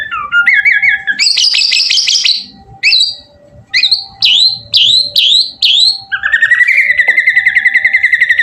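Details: Murai batu, or white-rumped shama, in loud lively song used to coax other shamas to sing back: stuttering whistled notes, a buzzy chattering burst, a string of repeated downslurred whistles, then a fast rapid trill.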